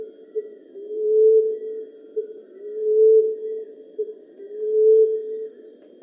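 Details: Common emerald dove calling in a steady series of deep, hollow coos. A brief soft lead-in note comes before each long, gently rising hoot, about three coos in six seconds.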